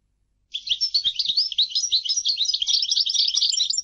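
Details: After half a second of silence, a goldfinch breaks into a dense, continuous twittering song of bright, liquid, jangling notes that carries on without pause to the end.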